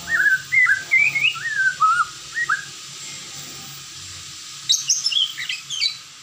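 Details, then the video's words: White-rumped shama, kept as a cage bird in Indonesia, singing a run of mellow whistled notes that rise and fall, followed after a pause by a burst of higher, rapid twittering phrases. "suara merdu MURAI ini"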